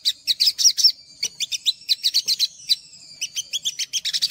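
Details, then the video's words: Olive-backed sunbird singing in short bursts of sharp high chirps and slurred whistles, with brief pauses between phrases; a clean masteran recording without other sounds. "MASTERAN SOGOK ONTONG UNTUK PANCINGAN SOGOK ONTONG BAHAN"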